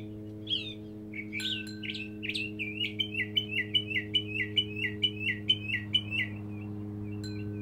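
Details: Back-yard mockingbird singing for a mate: a few varied notes, then a steady string of repeated downward-slurred whistles about every third of a second, with a constant low mechanical hum.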